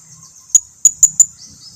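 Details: Lure call of a blue-crowned hanging parrot used to prompt others to reply: four very high, sharp, thin chips in quick uneven succession after a pause.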